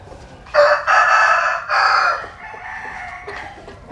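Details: A sunbathing rooster in Vietnam's Mekong Delta gives one strong, harsh crow in stuttering segments lasting almost two seconds, then a long quieter drawn-out ending.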